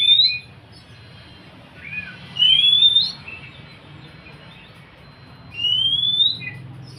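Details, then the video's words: Oriental magpie-robin, kept as a songbird, used to encourage a quiet bird to sing: long clear whistles sliding upward, one at the start, one midway and one near the end, with faint softer chatter between and a low steady hum. "Siulan KACER untuk kacermu yang malas bunyi"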